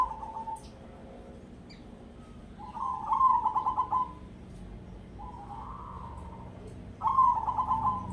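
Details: Local Indonesian zebra dove, a perkutut of the crossing type, singing in the ketekdobel rhythm: several cooing phrases, each a short stutter of rolling notes, some drawn into a smooth, gently rising coo, with pauses between the phrases.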